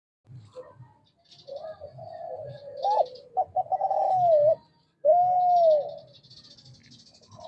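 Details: Male spotted dove of the Kelantan type, calling actively and used to lure lazy doves into calling; soft low notes lead into drawn-out, wavering coos, ending after a pause with one long, smooth, slightly arched coo.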